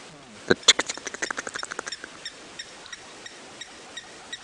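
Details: Two Egyptian geese at a dam, 8 AM, July 8, 2016, probably working their bills through the water: a dry, rapid run of clicks, fast then slowing and thinning to single taps about every third of a second.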